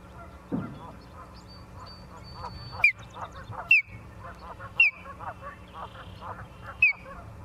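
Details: Osprey on a nest in Charlo, Montana, 28 September 2023 at 17:45, via live nest camera: four clear down-slurred whistles spaced irregularly, with soft chattering bird notes and rustling between them.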